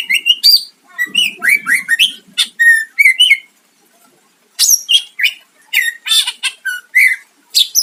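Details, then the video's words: Greater green leafbird in vigorous full song, used to provoke a rival into answering: rapid varied bursts of sharp whistles, rising and falling slurs and chattering notes, a brief pause near the middle, then a renewed dense sequence. "Cucak ijo gacor mancing lawan dijamin Nyahut"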